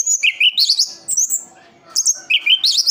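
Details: Orange-headed thrush from Sidoarjo, East Java, Indonesia, singing continuously: sharp, bright whistled phrases that leap between high and very high notes, in bursts separated by a short quiet gap, with a faint low murmur behind.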